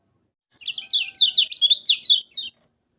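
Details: Lemon-bellied white-eye singing for caged-bird training: a clean, two-second string of quick, high, slurred whistled phrases rising and falling in rapid succession, with no other sounds.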